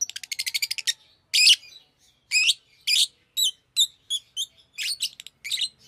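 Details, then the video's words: Pet Fischer's lovebird vocalizing: a fast run of clicking chirps, then harsh shrill squawks and high chirped notes spaced irregularly through the rest. "Fisher LoveBird Makes AMAZING Sounds!"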